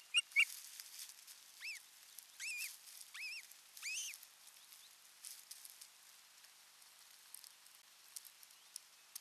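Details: Osprey pair at a nest in Satakunta, Finland, on 6 June 2023, briefly alone together for the first time: a short run of about five high, arched piping whistles over two seconds after a couple of sharp clicks, with faint hiss underneath.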